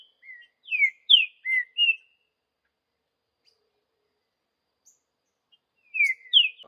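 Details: Green-winged saltator in the wild singing the Vidigal song type: one burst of four or five ringing whistles with falling and rising slurs, a few seconds of quiet, then the phrase starts again.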